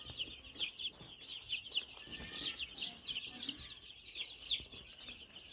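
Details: Baby chicken chicks cheeping continuously: many high, thin peeps overlap in a steady chorus, with soft rustling and low background noise underneath.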